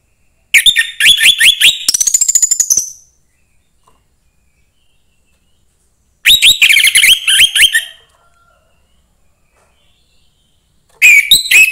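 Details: Young forest orange-headed thrush repeating rich, rapid phrases of chattering upslurred whistles, three bursts of two to three seconds separated by long pauses. Its singing is used to stimulate other thrushes.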